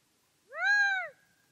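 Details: Gambel's quail, a small desert quail, giving a single loud, drawn-out crowing call about half a second long that arches gently up and down with a ringing, nasal tone, in a quiet setting.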